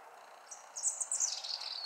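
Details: European robin at home in Ljubljana on 20 October 2023 gives a thin, high warbled phrase about a second long, sliding gradually downward, over a faint background hiss.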